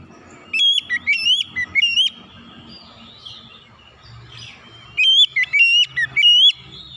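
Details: Oriental magpie-robin lure song in two bursts of quick whistled notes sliding up and down, separated by about three seconds of quieter background with faint chirps.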